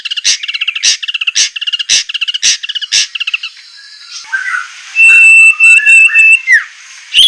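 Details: White-rumped shama song on a training recording for captive birds, sharp rough-burst style: a buzzy repeated phrase with clicking pulses about every half second, then quieter twitters and a long steady whistle with short high notes.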